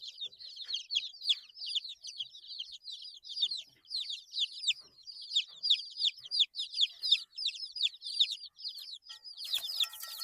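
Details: A group of 8-day-old chicks peep continuously, many high downward-sliding chirps overlapping, with a short noisy burst near the end.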